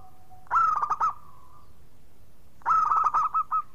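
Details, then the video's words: Actively singing local zebra dove used as a lure for birds that have stopped singing; two loud, rolling cooing phrases about two seconds apart, each breaking into a few short notes. "Perkutut Lokal Gacor pancingan ampuh obat macet"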